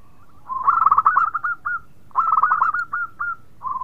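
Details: Local zebra dove in full, melodious song said to set off other birds singing: two bursts of rapid, rippling staccato coos around one pitch, each ending in a few separate rising notes, with a soft coo starting at the end.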